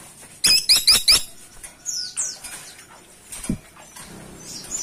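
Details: Freckle-breasted woodpecker (caladi tikotok), calling loudly: a short quick run of four sharp, high squeaky notes, followed by softer slurred chirps, a low knock and faint twitters.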